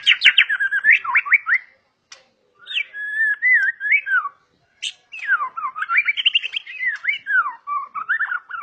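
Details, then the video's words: Agile song of a 'super' white-rumped shama (murai batu), valued by hobbyists for its aggressive style: loud whistled phrases that sweep up and down, rich rapid warbles broken by short pauses. "Kelincahan MURAI BATU SUPER dalam berkicau"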